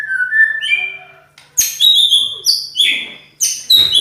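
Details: White-rumped shama (murai batu), described as a loud, rough-voiced champion singer, gives a rich song: a falling whistle, lower slurred notes, then a brisk run of high, sharp phrases with short gaps.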